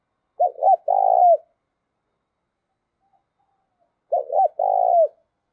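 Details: Spotted dove decoy cooing: two quick compact phrases about four seconds apart, each a pair of short hurried coos run into a long burred coo that falls at the end.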